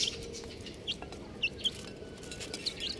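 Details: Little chicks chirping, with about eight short, high, falling peeps spaced unevenly across a few seconds above a steady background hiss.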